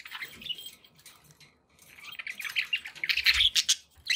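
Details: Pet budgerigars chattering, a quiet stretch of scratchy chirps followed by a louder run of quick warbled notes and squeaks.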